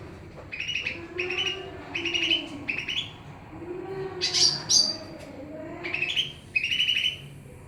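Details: Greater green leafbird, Pakpak type, in lively song amid noise: a steady series of bright chirped phrases, two very high piercing notes mid-way, then more chirps over low hum.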